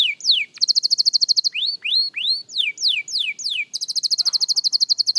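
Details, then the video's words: Young canary practising its song: downward-sweeping whistled notes alternate with rapid, even buzzy trills of about ten notes a second, then curved rising slurs and a fast trill at the end. "Young Canary Singing Practice – Surprisingly Good for a Beginner!"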